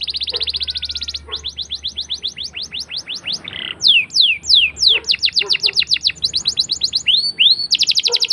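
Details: Caged canary in full song, used as a lure to teach young canaries to sing, with long rolling trills: rapid repeated high chirps, sweeping slurred notes and fast buzzy rolls, loud and continuous, a faint low hum beneath.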